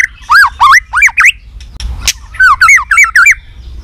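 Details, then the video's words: White-rumped shama in competitive fighting song: a series of loud, looping whistled notes rising and falling, in two groups separated by a brief pause with a sharp click. "kích lửa 3 mùa yếu lửa hót đấu lên lửa.chòe lửa nết đập xoay chớm lửa hót đấu"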